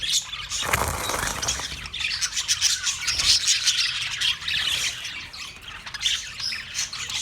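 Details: Australian parrots on March 15, 2024 squawking harshly, a loud broadband burst early on, then a steady stream of raspy, overlapping calls from a group.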